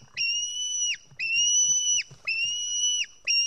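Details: White-tailed eagle chick begging at an Estonian nest, 4 July 2018 around 1:10 pm, while fed fish; three long shrill level whistled screams ending in a quick drop, about one per second, with faint low thumps.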